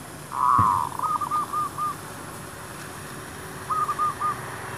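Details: Zebra dove in a shop area, lured with a decoy: a strong rolling trill leading into a string of clipped notes, then after a pause another short series of four notes; a sharp click near the start.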